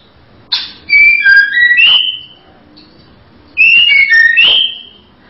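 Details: A female white-rumped shama opens with a sharp note, then gives two fluent whistled phrases of sliding clear notes about three seconds apart, with a quiet background.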